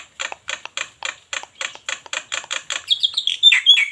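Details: Black-winged myna from Cianjur giving a rapid series of harsh, broadband chattering notes, about four per second, ending in higher whistled, warbling phrases.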